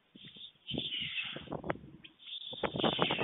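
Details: A white stork brings food to the nest in Fohrde, Germany, 23 July 2019, 12:41 PM: uneven rough knocking pulses beneath a hoarse high wheeze, growing louder and denser toward the end.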